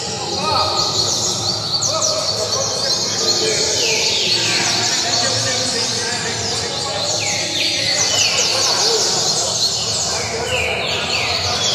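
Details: Domestically raised double-collared seedeater (Sporophila caerulescens) singing at a song tournament in Itaocara, a fast continuous run of high whistled and twittering phrases with sliding falling notes, over people talking.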